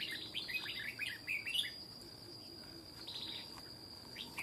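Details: Aggressive wild adult red-whiskered bulbul confronting a decoy: a burst of quick chattering, twisting notes in the first two seconds, then fainter scattered phrases, over a constant shrill insect hum.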